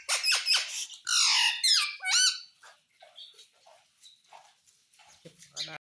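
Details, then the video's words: Talking pet parrot indoors, described as saying mummy and papa: a run of quick squawky syllables, then two loud drawn-out speech-like phrases with bending pitch, followed by softer chatter and a brief low human voice. "मम्मी पापा बोलने वाला तोता _ Mummy ka Pyaara Mitthu _ Parrot Talking Video"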